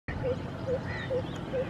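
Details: Greater coucal (Centropus sinensis), call.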